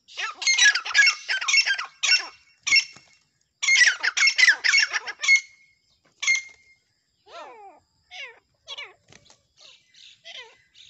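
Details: Black francolins, called Deccani partridge, fighting: loud harsh squawking bursts in rapid runs for about five seconds, a few isolated sharp notes, then softer, descending whining notes spaced irregularly.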